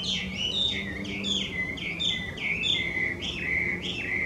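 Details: Loud varied whistling of a wild Chinese hwamei, an invasive alien species in Japan: bouncing up-and-down phrases repeated irregularly over a low steady hum.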